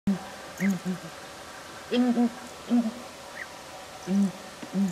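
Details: Two southern ground hornbills in a tree in Kruger National Park, South Africa, hold a loud conversation, trading deep, hollow booming notes, often in quick pairs. Faint higher bird calls sound behind.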